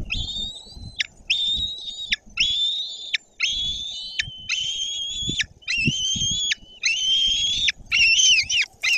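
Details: Nest of white-tailed eagles in Poland's Bory Tucholskie, 14 June 2022: a young bird claims a fish from the male, voicing a run of about nine piercing whistled notes, each near one second long and steady in pitch, with nest rustling.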